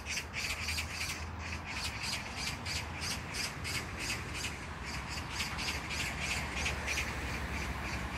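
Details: Magpie in Jangdumot neighbourhood park, Incheon, South Korea, June 19, 2022, chattering nonstop: a long run of harsh rasping notes at a quick, fairly even pace over a steady low drone.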